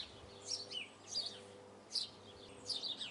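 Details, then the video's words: Eurasian blue tit uttering short clusters of high, tinkling, downslurred notes in quick bursts, over a low background hum. "Marvelous song of Blue tit"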